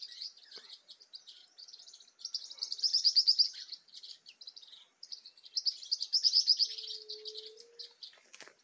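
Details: Green-rumped Parrotlet flock in Caatinga with tall trees, a continuous high twittering chatter swelling into two louder rapid bursts, with a faint low hum near the end.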